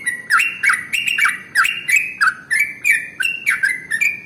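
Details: Sooty-headed bulbul (trucukan) singing its long 'ropel' lure song for other birds: rich, slightly harsh whistled notes dropping then leveling off, repeated steadily several times a second.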